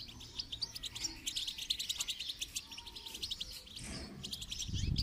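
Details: Goldfinch twittering song for training: rhythmic high chirps repeated in quick pulses, accompanied by steady background hiss and a low rumbling noise toward the end.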